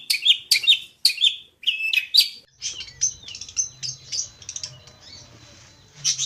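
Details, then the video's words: Jentet bird giving a few loud, sharp whistled chirps, then softer, thinner high twittering notes, with a low hum in the background. "Kicau mania burung Jentet bersuara.."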